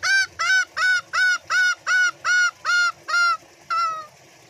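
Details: Ngekek call of a green junglefowl calling to its companions, played as a lure to draw responses: nine brassy, honking notes at an even rhythm of about two per second, a short pause, then one drawn-out note trailing off.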